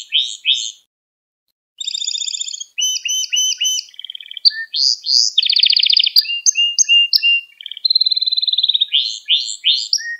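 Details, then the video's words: Canary singing a training song meant for young canaries: after a brief pause, high trills and fast repeated syllables shift between phrases, including a dense rolling trill and short clipped notes. "Kanarya Ders Ötümü ve Kanarya Sesi 2 Saat | Kanarya Huylandırma | Kanarya Kızıştırma"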